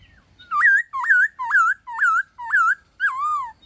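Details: White-cheeked laughingthrush singing in wild style to stimulate captive birds to sing: six loud, clear whistles, each sliding up then bending down, spaced about half a second apart, the last one falling longer.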